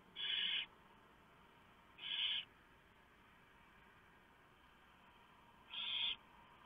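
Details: Barn owls on a nest camera at 3:59 AM, 3 November 2015, the male having delivered a huge mouse for the owlets; three coarse, noisy screeches, two close together, then a pause of about three seconds before the last.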